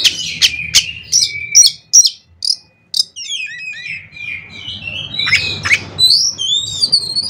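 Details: Oriental magpie-robin singing 'konslet' fill meant to provoke other magpie-robins into singing: a string of sharp, clipped high notes, a short pause, then many looping slurred whistles in varied pitches.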